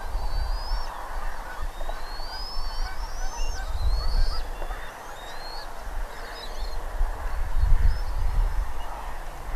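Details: Bald eagles calling at the nest in Redding on the morning of 25 April 2021 at 07:00. A string of high, thin whistled notes, some rising, some clipped short, over a constant low rumble of wind.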